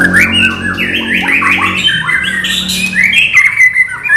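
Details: Murai batu (white-rumped shama) in non-gelembung isian song: dense run of loud, looping whistles and slurred notes, rising and falling rapidly, over a faint low drone.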